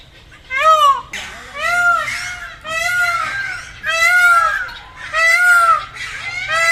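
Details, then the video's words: Peacock giving five loud, nasal, wailing calls in steady succession, about one per second, each a rising then falling cry rich in harmonics; faint low hum underneath. "Peacock sound, Peacock sound with video, peacock call, Peacock sound effect"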